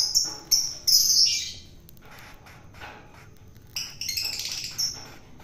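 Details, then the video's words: Long-tailed shrike taken from the wild, being hand-fed so it becomes tame; harsh, buzzy scratchy bursts in short groups, a loud cluster near the start and another after a quiet gap, with faint background noise. "KASi MAKAN BURUNG CENDET PENTET AGAR JINAK"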